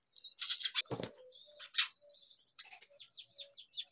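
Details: Baby myna hungry: raspy high chirps and a low thump early, then a series of short descending squeaky notes near the end.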